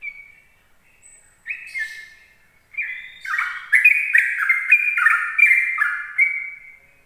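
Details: Sooty-headed bulbul in morning song meant to draw in other bulbuls: scattered single whistles build into a dense, quick run of bubbling, falling notes, about three each second.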